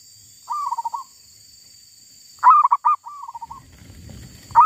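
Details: Wild zebra dove, with a female caught while trapping. A quiet rolling trill comes first, then a loud phrase of sharp hard notes running into another soft trill. A last loud note starts as faint rustling noise rises underneath.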